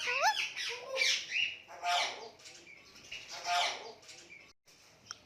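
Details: Indian ringneck parakeet kept as a pet gives cute noises: raspy chattering squawks mixed with curling, whistled slurs. They arrive in four or five loud bursts, then it goes quiet.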